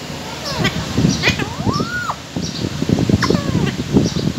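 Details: Parrot eating and calling, with a smooth arched whistle, short falling notes and scratchy squawks over continuous crunching of food.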